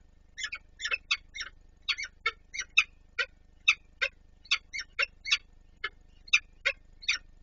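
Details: Peregrine falcons at the Palace of Culture and Science in Warsaw on 26 April 2024, while one adult feeds another. Harsh, scratchy call notes repeat about twice a second in a steady series, over a faint low hum.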